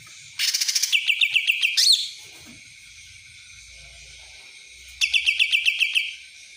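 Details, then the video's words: Cucak ranting in a fast, high, dry rattling song style called kapas tembak: a burst of rapid repeated buzzy notes, a rising whistled note, then after a pause another series of quick clipped notes, repeated about four times a second. "cucak ranting rasa kapas tembak"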